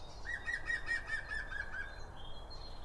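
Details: Eurasian blue tit calling at a garden bird feeder among other birds: a quick run of about eight even, slightly harsh mid-pitched notes over a second and a half, then a faint higher thin whistle, above a steady low rumble.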